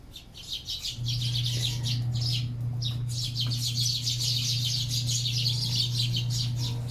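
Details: Sparrows feeding with a continuous dense twittering of high chirps, many birds calling at once, backed by a loud steady low hum.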